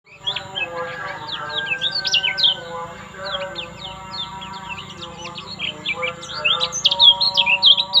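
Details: Lemon-bellied white-eye from Lombok singing: a lively stream of high, quick chirps and twittering slurred notes, nearly continuous, over steady background tones.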